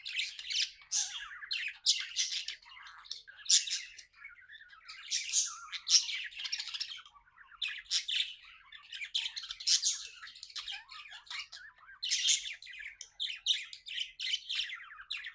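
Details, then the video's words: Pet budgies in a cheerful chirping chorus, an unbroken stream of scratchy warbles, sharp squeaks and rasping bursts rising and falling in loudness, with no other sounds. "Happy budgie chirping sounds"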